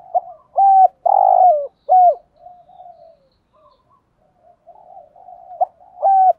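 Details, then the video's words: Spotted dove giving stimulating coos and calling coos to provoke other doves: clipped, hollow notes followed by a longer, rougher coo, then soft murmuring coos and two more sharp notes near the end. "Tiếng chim cu gáy kích bổi hiệu quả[ tiếng THÚC GÙ + GÁY GỌI ] Tiếng cu cườm gáu bài bản"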